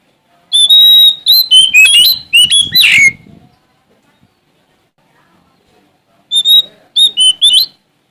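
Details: Oriental magpie-robin of the Sumatran type singing vigorously to challenge a rival. Loud, varied whistled phrases with sharp ringing notes and quick slurred trills: a three-second burst, nearly three seconds of silence, then a shorter burst. Quiet background.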